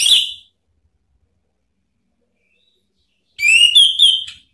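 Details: Orange-headed thrush singing to provoke rivals in ngeplong style: a brief whistle at the start, a long pause, then a flowing whistled phrase with slurred, wavering notes near the end.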